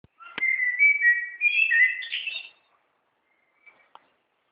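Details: A small bird in Gütersloh that sings all day for the whole neighbourhood: one bright whistled phrase of sliding and warbled notes, rising toward the end and lasting about two seconds, followed by a soft chirp and a faint tick.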